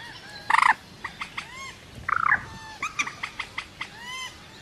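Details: Rail call recording meant as a trapping lure: two loud harsh grating bursts separated by a pause, followed by a string of short clipped notes and curved whistled notes that fade out.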